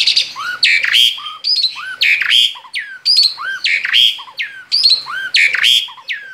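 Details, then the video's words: Male Asian pied starling singing energetically outside its cage in the ngerol style: a loud phrase of whistles, rising slurs and harsh squawky notes, repeated roughly every second in a steady cycle, with no other sounds. "Ngerol di luar sangkar jalak suren jantan gacor"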